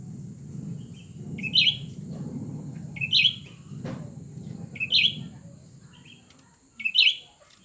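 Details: Two cucak ranting birds, one new and one old, compete against each other. Short, bright, chirped notes come every one to two seconds over a steady low rumble and a thin constant high tone.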